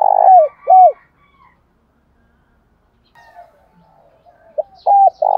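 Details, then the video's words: Spotted dove decoy giving its morning flock call: two downward-curving coos, a quiet stretch with faint murmuring, then a clipped note, a level coo and a loud rolling coo. "chim cu mồi gáy gọi bầy/ cu đất gáy gọi buổi sáng"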